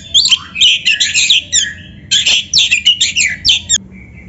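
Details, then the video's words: Oriental magpie-robin (kacer) in vigorous gacor song, played to train and stimulate captive birds to sing and fan their tails; rapid dense bursts of varied whistles, chatters and buzzy notes in two long phrases, ending with a faint thin note. "PANCINGAN SUARA KACER GACOR untuk latihan‼️100% ampuh bikin KACER NARUNG BUKA EKOR DIGANTANGAN"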